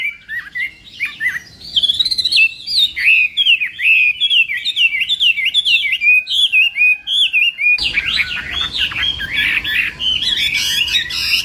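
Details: Chinese hwamei singing during morning practice for a song contest, pouring out a fast run of sharp, slurred whistles more than twice a second, the phrases growing denser and harsher after about eight seconds.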